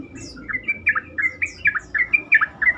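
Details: Trucukan, the Sooty-headed bulbul, singing as a lure so other bulbuls reply and become more vocal. Rapid, continuous string of short, liquid, slurred notes bounces up and down, about five per second, over soft background noise.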